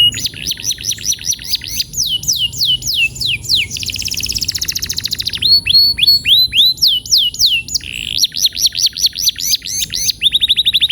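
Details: Energetic canary song for rolling-song training: fast runs of repeated downslurred whistles, buzzy trills and sweeping phrases pouring out nonstop over eleven seconds, each note type repeated several times before changing.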